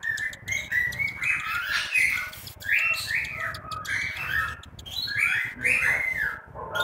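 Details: Nestling cockatiels in Juazeiro do Norte, Ceará, Brazil: a busy run of raspy, wheezy chirps, rising and falling, several chicks calling over one another almost without a break, with faint low background noise.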